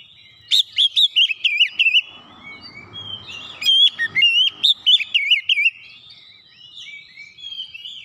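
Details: Oriental magpie-robin song used as a lure to provoke a response: loud, high whistled phrases with rapid warbling notes in bursts, a pause with faint low noise midway, then more bright whistles and quieter trailing notes.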